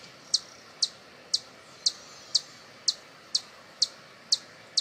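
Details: A hummingbird sound for attracting hummingbirds: a regular series of clipped, piercing chips, about two per second, with nothing else but soft background noise.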